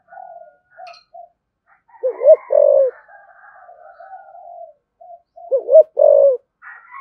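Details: Spotted dove cooing in 'thổ' voice with 'thúc gù' style to provoke other doves: two short bursts of low hoots ending in a longer coo, over softer murmuring calls and higher chatter in the background.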